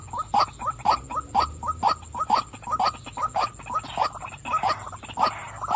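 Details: Calling female white-breasted waterhen: a long, regular chain of about seventeen croaking notes, twice a second, grating and nasal, slightly looser toward the end.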